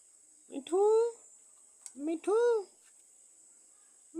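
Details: Four-year-old captive myna imitating a cat: two short arched meow-like calls, each led by a brief clicky note, about 1.5 seconds apart. A quiet room with faint clicks and a steady high hiss.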